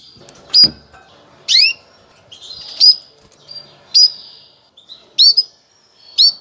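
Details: Mating call of a female canary meant to prepare males for breeding: seven piercing, high, upslurred chirps repeated at uneven intervals of about one second, with a near-silent background.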